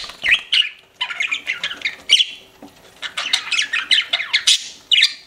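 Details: Pet budgies chirping in bursts of short scratchy notes and squeaky whistles, separated by brief pauses.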